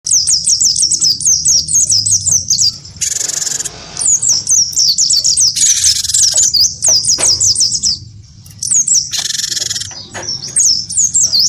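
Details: Cinereous tit of the wingko type, a bold singer, provoked into fighting sounds against a white-eye: rapid runs of high, sharp, curling whistles, broken three times by harsh, buzzy, hissing bursts.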